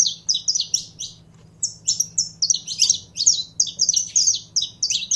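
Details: Saffron finch, called canário-da-terra, being encouraged to sing: loud, fast sequences of high slurred chirps with almost no gaps, over a faint steady hum.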